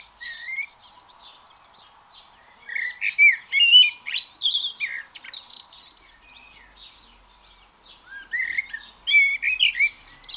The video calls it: blackbird sings freely